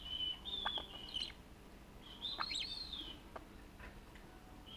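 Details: Caged pet budgerigar, recorded in January 2016 by a camera inside the cage while playing with its owner, gives soft, drawn-out whistled calls that bend up and down, with faint clicks from the cage.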